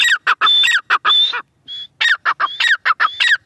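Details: Grey francolin, known locally as teetar, calling in loud ringing phrases: a sharp high whistled note followed by falling clipped notes, repeated rapidly, with a brief pause midway.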